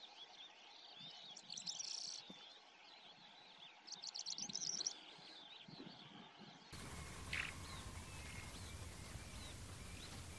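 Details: Calandra lark song recorded with a Nikon Coolpix P1000: a jumbled, chattering stream of twittering notes with bright, rapid bursts near two seconds and again around four to five seconds, then a steady hiss with one short note.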